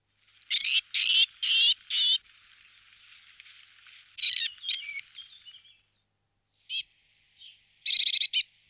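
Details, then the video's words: Eurasian blue tit, a mix of high buzzy churring bursts, thin whistles and scolding notes, several loud harsh chatters early then brief sharp notes later, clean quiet background. "Parus caeruleus"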